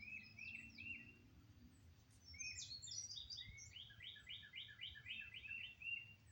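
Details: Wild birds singing outdoors in Oklahoma on May 22 after storms had likely moved east. Several birds overlap: short whistled phrases, then a fast run of bright, repeated chirps, with a steady low rumble underneath.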